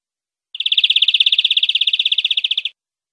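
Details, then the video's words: European greenfinch song from a clean recording meant for tutoring captive birds: one fast, even, rolling trill of about two seconds, with no other sounds behind it. "Nuevo CD limpio para educar verderones"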